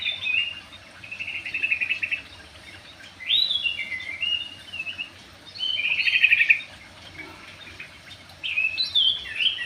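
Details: Javan pied starling, described as a bird that is good at dancing, singing in bursts of buzzy, rasping chatter mixed with sharp whistled notes. Loud phrases alternate with quieter pauses, over a steady low background hum.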